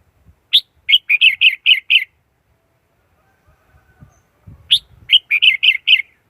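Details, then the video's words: Red-whiskered bulbul used as a lure bird for trapping wild birds, recorded free of background noise: two bright, quick phrases of about six clear, slurred whistled notes each, separated by a few seconds of quiet with faint low thumps. "Tiếng chim chào mào mồi dùng đi bấy cực sát bổi"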